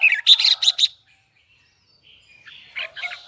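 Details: Red-whiskered bulbul of the Huế type singing in a high, doubled, twisting voice: one quick burst of five bright warbled notes, then near silence with a fainter scratchy phrase at the end.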